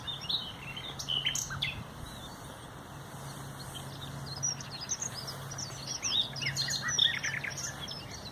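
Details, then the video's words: Varied common nightingale phrases from 30 April 2021: scattered high chirps, upward and downward flicks and short twitters, louder near the start and end, with a steady low hum behind. "NACHTEGAAL (COMMON NIGHTINGALE)"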